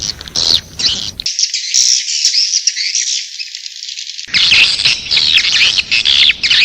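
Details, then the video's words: Swiftlet calling sound, track A4: dense, bright twittering and chirping chatter that runs continuously, with a middle stretch where the lower background drops away and only the high twitter remains. "Suara Panggil Walet A4"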